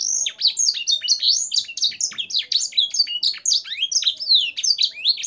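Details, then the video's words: Caged canary in lively training song filled with blackthroat and sanger-style phrases: dense tumbling series of high sliding whistles and chirps, rising and falling without pause. "suara burung kenari gacor isian blackthroat dan sanger untuk masteran"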